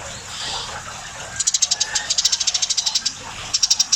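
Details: Lively, very tame Eurasian tree sparrow giving long bursts of rapid, high, dry ticking chirps, around ten per second, with a brief pause before a final short burst over faint background hiss.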